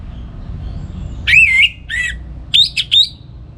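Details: Orange-headed thrush in Bali singing in the morning, a recording used to teach other songbirds: a few loud whistled, looping notes followed by short higher chips, with a low hum in the background.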